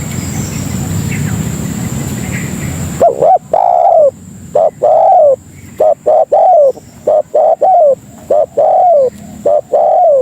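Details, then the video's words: Spotted dove used as a lure to attract other doves: after three seconds of noisy hiss, rapid repeated coo phrases follow, each a quick double note and a longer drooping coo, some overlapping. "Suara Burung Pikat Tekukur Paling Ampuh Untuk Masteran dan Pikat Memanggil Kawan"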